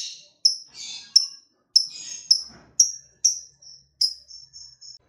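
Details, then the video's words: Lovebird of fighter type, used as a lure to get other lovebirds singing: sharp high chirps repeated about every half second, some with a short buzzy tail, ending in quicker clipped notes. "BANYAK LOVEBIRD LANGSUNG BUNYI SETELAH DENGAR SUARANYA, PANCINGAN LB Fighter BIKIN CEPAT BUNYI"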